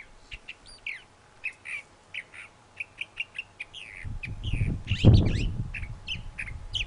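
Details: A thrasher sings a rapid run of varied short phrases, chirps, slurs and buzzy notes, about two per second, while a loud low rumble and thump rise in the second half.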